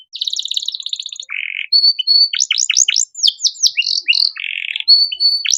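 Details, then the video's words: Caged canary delivering a rich training song for songbirds such as magpie-robins: a high buzzy trill, a low rattle, clear whistled notes, then quick sweeping downslurred chirps and another low trill. "Masteran Kenari Gacor Cengkok Mewah Mudah Masuk untuk Burung Bahan"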